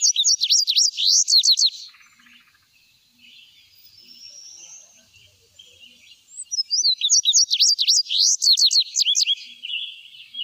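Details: Indigo bunting (Passerina cyanea), song.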